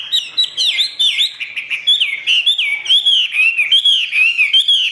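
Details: Caged Chinese hwamei delivering "ngũ trường" song: rapid series of rich whistles, each swooping down then curling up, repeated more than once per second with crisp high overtones and a quiet background.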